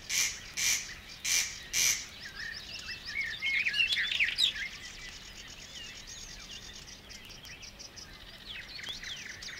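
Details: Barred Warbler singing in the water-meadows and coastal pastures of Matsalu, USSR, in a 1979 field recording. It opens with four harsh, loud chattering bursts, then a fast, scratchy warble of high notes that fades to quieter twittering.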